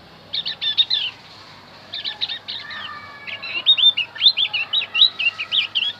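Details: Javan white-eye song used as a lure for wild birds, short clusters of sharp chirps separated by pauses, then a steady run of high, looping, slurred notes.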